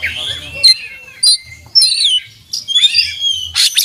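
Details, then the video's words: Oriental magpie-robin in a varied song with imitated material: scattered sharp whistles, a rising-falling slurred phrase, and a final bright chirp, separated by short pauses, with faint low background rumble. "kacer gacor buka paruh full isian dan masteran"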